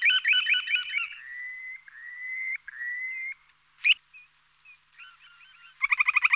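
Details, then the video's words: Purple sandpipers chirping: a quick burst of harsh chirps, then drawn-out, slightly rising whistled notes and soft scattered chirps, ending in a fast stuttering run of notes. "Purple Sandpipers Chirping"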